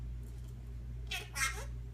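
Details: A 22-year-old pet talking Senegal parrot, indoors, gives two quick, rough, meow-like vocal bursts back to back in the second half, over a steady low indoor hum.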